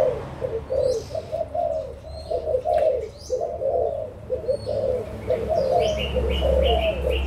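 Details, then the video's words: Spotted doves, adults from Malaysia and Thailand, recorded 16 March 2022; husky coos come in a rapid, almost unbroken run of short phrases, joined near the end by a high repeated chirping bird and a low hum. "cu gáy trưởng thành malaysia và thailand"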